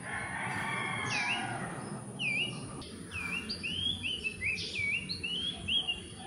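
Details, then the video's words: Philippine magpie-robin singing while pairs gather nest materials, possibly to claim territory; clear whistled phrases of sweet, down-slurred and upswept notes in a flowing series, with a faint chirping bird early and constant low background noise. "Philippine Magpie-robins Gathering Nest Materials & Possibly Singing To Claim Territory"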